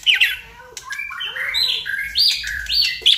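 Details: Lure recording of white-rumped shama song, meant to provoke rivals: a sharp opening note, then a jumble of warbled whistles moving up and down at mid pitch, closing with a clipped high note.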